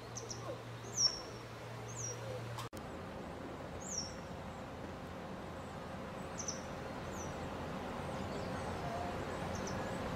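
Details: Grey wagtail (Motacilla cinerea) perched on a high power line in Yangpyeong, Gyeonggi-do, Korea, in May, announcing its arrival. It gives sharp, very high, thin notes at irregular intervals over steady hiss and an early low hum. It is a summer breeding visitor.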